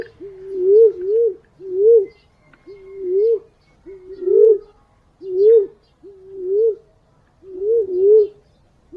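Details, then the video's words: A green pigeon lure recording of clear, wobbling whistled notes, often doubled, coming in regular bursts about every second against a quiet background. "Suara burung punai/walik ampuh buat pancingan"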